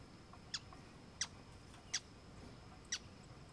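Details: A Brazilian teal at a stream gives four sharp, high, squeaky whistled notes at uneven intervals of about a second, over a steady hiss of running water.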